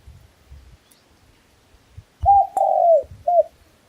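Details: Red junglefowl crowing once after faint rustling: quick clipped notes, a long falling note, then a brief closing note.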